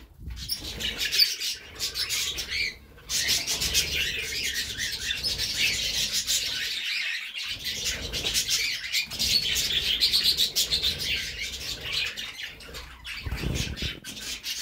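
Budgerigars chattering together in a steady stream of bright, scratchy chirps and warbles.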